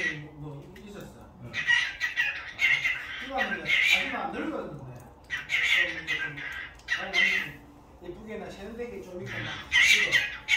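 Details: Domestic cockatiel at home, calls likened to a human voice: repeated bouts of rough, scratchy squawks with warbling, talk-like lower tones, several phrases separated by brief quieter gaps, recorded indoors.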